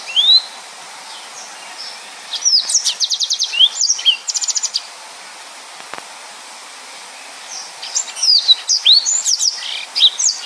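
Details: Yellow-fronted canary in dense 'nembak' song, recorded as a tutor for other birds: a single rising whistle, a pause, then a long run of fast repeated buzzy notes, more silence, and a closing flurry of high whistled slurs.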